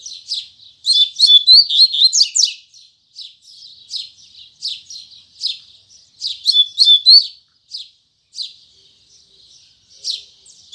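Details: Double-collared seedeater of the Braddock line singing firmly in the morning, with loud bursts of whistled and chipped notes alternating with softer buzzy phrases, tui tui zel zel style.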